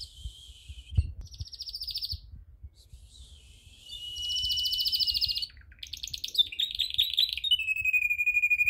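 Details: A canary sings during song training, delivering a series of bright, high trills. Fast buzzy rolls change to new notes every second or two and end in sweet whistled tones, with faint low thumps beneath.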